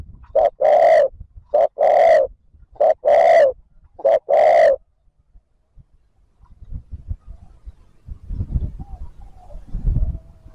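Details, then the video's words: Spotted dove coo series used to draw wild birds: four quick pairs of a short note and a long resonant coo, then quiet rustling and low background noise. "TIẾNG CHIM CU GÁY THÚC GÙ KÍCH BỔI NHANH NỔI CỰC SUNG, MỒI NGHE LÀ GÁY"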